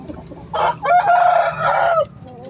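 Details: Rooster in the coop gives a strong, hoarse crow: a short opening burst, then a long sustained middle note and a falling end, about one and a half seconds in all, over quiet background hum.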